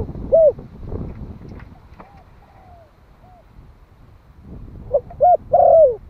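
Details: One-year-old Malai-type spotted dove, a decoy bird calling to lure wild doves, gives a low cooing phrase near the start and again at the end: short hoots, a long drawn-out descending coo, then a final note. Faint murmurs fill the quiet middle.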